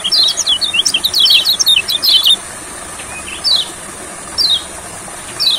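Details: In a rice field, an olive-backed sunbird bursts into a rapid jumble of high twittering notes for two seconds. Three spaced, thin descending slurs follow, set against a constant high-pitched hiss.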